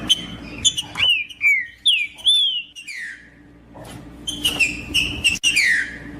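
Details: Green-winged saltator singing to warm up a cold bird for tournaments: clear, liquid whistled phrases arching and falling, a brief pause, then more bright downslurred whistles with faint clicks.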